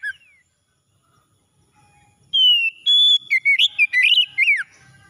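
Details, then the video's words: Oriental magpie-robin, morning singing for stressed birds that have stopped calling. After about two quiet seconds, a burst of rich whistles and rapid warbled notes follows, ending with a falling slur. "KACER PAGI PEMULIH KACER SETRES MACET BUNYI LANGSUNG CEPAT GACOR"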